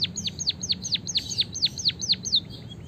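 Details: White-headed munia singing a long rolling canary-style phrase, meant as a tutor recording to stimulate other birds: around ten bright, high chirps, each dropping sharply in pitch, repeated rapidly and evenly before trailing into softer notes.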